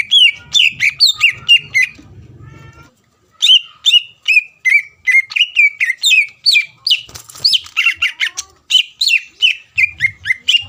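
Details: Greater green leafbird singing hard to provoke a rival: strings of quick downslurred whistles, about two per second, interrupted by a quiet stretch with low murmur, then resuming in a long steady run.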